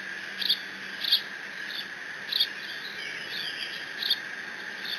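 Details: On 30 June 2017 at the Decorah N2B nest, a bald eaglet with its father's fish squees repeatedly. Piercing, clipped squeals fall roughly every half to one second over low continuous camera hum.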